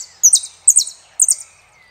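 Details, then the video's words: Argentine saffron finch giving three evenly spaced, loud, high phrases, each a quick rising-then-falling slurred note with a rough buzzy edge, separated by short pauses. "JILGUERO ARGENTINO"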